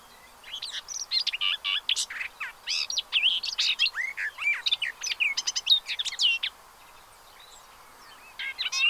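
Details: Many sharp, rising, clipped calls from a pied avocet gathering with chicks, heard from a hide in Séné Nature Reserve, Gulf of Morbihan, on 30 April 2023. The calls come in fast overlapping bursts, then fall quiet before resuming near the end.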